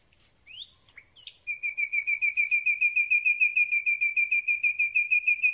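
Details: Common Nightingale singing at night, recorded very close with a microphone on a handheld telescopic pole: a few whistled and rising notes open, then a loud, even series of rapid repeated notes, about three per second.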